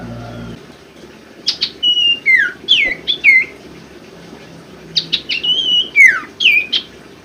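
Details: Common Iora (sirtu) song used to coax idle caged birds into singing: two bursts of clear slurred whistles, rising and falling sharply, some notes sweeping downward, separated by a quiet pause, with faint low background hum.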